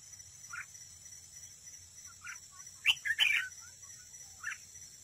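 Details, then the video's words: Decoy red-whiskered bulbul in competitive song at a trap. Scattered short chirps lead into a louder, tight cluster of bright warbled notes near the middle, then one more chirp. A constant high-pitched hum sounds behind. "chào mào mồi đấu bẫy, hót đấu"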